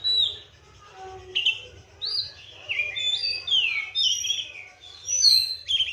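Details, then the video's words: Clear whistled song of a caged Oriental magpie-robin fed seven crickets and bathed morning and afternoon: rich fluty phrases rising and falling in short bursts separated by brief pauses, in quiet surroundings. "KACER GACOR"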